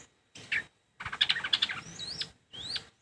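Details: Long-tailed shrike chattering in three bursts: a short harsh phrase, then a longer rapid stuttering run of scratchy notes ending in clear upslurred whistles, and a final sharp rising whistle, with silence between.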